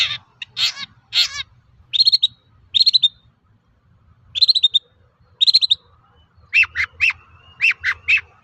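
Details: Long-tailed shrike lure song for prompting other shrikes: a varied mix of harsh notes, clustered chattering bursts and short warbled phrases, with rasping notes toward the end.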